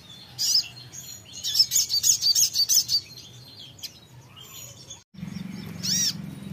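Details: Songbird answering soon after a recording is played, giving bursts of very high, rapid chirps, a short run then a longer rattling series of about ten notes, later a single looping whistle; steady low background hum.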